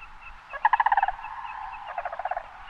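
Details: Sandhill crane in a restored river meadow marsh on the Red River near Elk City, central Idaho: two rolling, rattling bursts of about eight quick trumpeting notes each, over a steady murmur of more distant calls.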